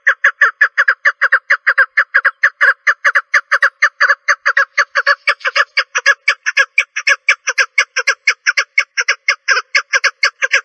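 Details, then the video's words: Long unbroken chatter from a female partridge: dense, grating notes repeated very quickly, steady in loudness throughout, with no background noise. "En Güzel Dişi Keklik Sesi 2 | Best Jenny Partridge Voice | Best Female Partridge Voice"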